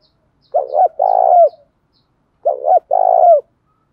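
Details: Cooing decoy spotted dove meant to goad wild doves into replying. Two clear phrases about two seconds apart, each a quick double hoot then a long, slightly falling, vibrating note.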